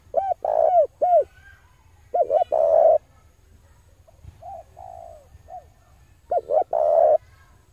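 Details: Male spotted dove recording used as a lure for wild doves: three rounded cooing phrases, each of a few short arched notes and a longer rolling coo, with quiet gaps between phrases and a low steady hum underneath.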